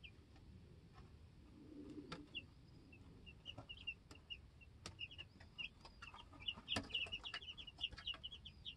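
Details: Two-week-old baby chickens in their homestead coop, challenging each other over pecking order, start with sparse high peeps that grow into a busy cluster of cheeps, with sharp taps and clicks throughout.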